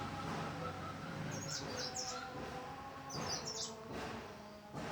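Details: Mountain leaf warbler song: two bursts of high, thin, quick chirping notes around the middle and later part, over a steady low hum and background noise.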